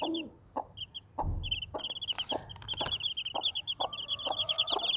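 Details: Desi chicken, a mother hen with four baby chicks: low soft clucks spaced about half a second apart beneath rapid high thin peeping from the chicks, with a brief dull thump near the start.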